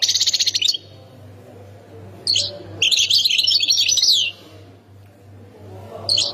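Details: Goldfinch from the Khemis Miliana sector in Ain Defla province: a short bright trill, silence, an isolated chirp, then a lively twittering, warbling phrase and a final chirp, with a steady low hum behind.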